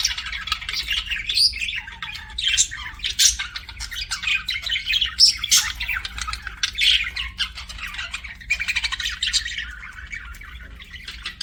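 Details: Long run of budgerigar chirping: continuous rasping, clicking chatter with scattered shrill squeaks and whistles, volume pulsing rapidly throughout, over a faint electrical-sounding hum.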